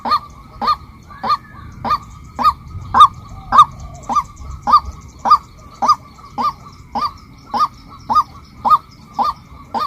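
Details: A female white-breasted waterhen repeats some seventeen hoarse, upslurred honks at a steady beat, a little louder in the middle, with a faint high chirp overhead.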